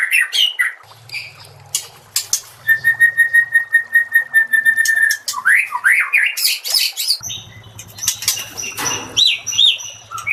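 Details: Master song of a white-rumped shama (murai batu) for training caged shamas: varied phrases including a long steady whistle, quick rising slurred whistles and chattering notes, over a soft low hum in the background.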